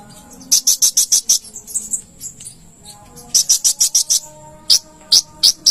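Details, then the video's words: Konin (olive-backed sunbird) in song on a cage-bird training recording: sharp, high chirps repeated in quick series, a short softer twittering passage midway, then more bright chirps. "burung konin gacor"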